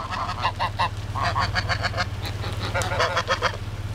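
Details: Neighborhood geese that refuse to move off a road, advancing on a car: dense run of short nasal honks, quick and overlapping, rising and falling in clusters, over a constant low rumble of an idling engine.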